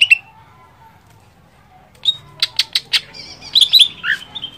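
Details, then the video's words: Greater green leafbird singing to excite another leafbird: an opening chirp, nearly two seconds of quiet, then a series of sharp clicks and chirps building into bright whistled notes and a slurred call, with a low hum beneath. "Merangsang Cucak ijo Lain Cepat Emosi"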